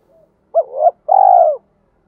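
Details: Spotted dove with a thổ-style voice mixed with driving challenge cooing, used to train decoy birds; a short upturned note, a brief pause, then a long steady mellow coo in one phrase.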